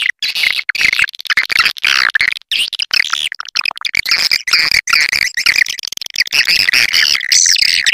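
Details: Swiftlet caller sound for drawing swiftlets into a nesting house: dense, overlapping high chirps and twitters, heavily layered with almost no pauses and a slightly synthetic tone.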